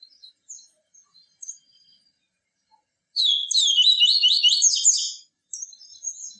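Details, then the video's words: Yellow-bellied seedeater, song played to teach and excite adult and young captive birds of both sexes: scattered soft chips, then a loud two-second run of rapid, zigzagging high trills, followed by lighter twitters. "CANTO DO PAPA CAPIM TUI TUI VIVITI, CANTO PURO"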